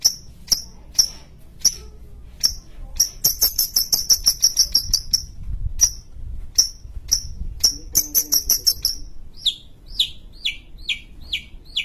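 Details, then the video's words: ['Long-tailed shrike from Sumatra, known locally as cendet, a kept songbird. Sharp high ticks come at uneven intervals, then a rapid rattling series, then more ticks, and finally a run of quick downslurred chips.'] "Pentet sumatra gacor"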